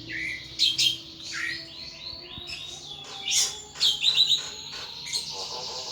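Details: Pet thrush singing vigorously in ngeplong style, mixing high sliding whistles, buzzy chatter and sharp chips in irregular bursts, with a soft background hum.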